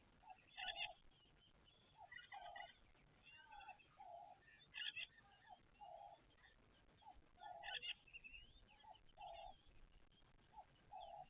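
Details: Ring-necked dove at a waterhole at King's Camp repeats low, hollow cooing notes about once a second, while red-billed buffalo weavers add bursts of high, scratchy chatter.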